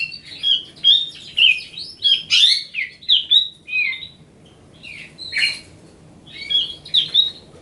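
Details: Riwikan song of a grey-cheeked bulbul, lively whistled phrases with sharp chirps and a few harsh squawk-like bursts, delivered in quick bouts separated by brief gaps.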